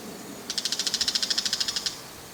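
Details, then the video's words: Two bull-headed shrikes perched on an antenna call while holding food in their beaks: a rapid, even series of about fifteen harsh, scratchy notes delivered within under two seconds, high-pitched against a quiet background. "モズの鳴き声（地鳴き） Bull-headed shrike"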